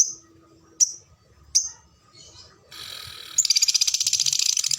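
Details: Fighter lovebird singing in the ngetik and ngekek style, with long phrases and tight pauses. Several sharp high chips are spaced apart, followed by a short rasp, then a dense rapid high buzzy trill of quick pulses to the end.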